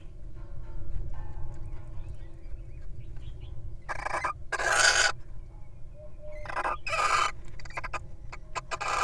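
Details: At the nest, a wild incubating little owl breaks off to eat a mouse, giving three harsh, noisy hissing bursts spaced a second or two apart, with scattered clicks and a steady low-pitched background drone.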